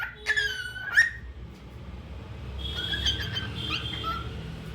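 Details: Cockatiel singing: a few short whistled notes near the start, including a sliding whistle, then a softer stretch of faint warbled notes with steady low background hum.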